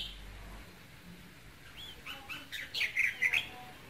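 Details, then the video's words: Red-whiskered bulbul, kept as a cage bird, singing to stimulate a male: a few short rising whistled notes building to louder warbled phrases near the end, with faint low hum below. "KÍCH SUNG CHÀO MÀO TRỐNG hiệu quả nhất"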